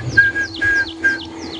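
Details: A Red-crested Korhaan calls during a morning safari drive at Djuma Game Reserve on 22 January 2016, giving high, piercing whistles that slur downward, repeated about every half second, over a steady low engine hum.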